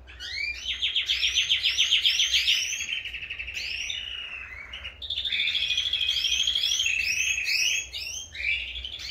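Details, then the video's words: Kept canaries singing at full force, at the time of separating breeding pairs: rolling trills and rapid repeated rising whistled notes, varied phrases with a short pause midway, over a low background hum. "Meus canários cantando a todo vapor"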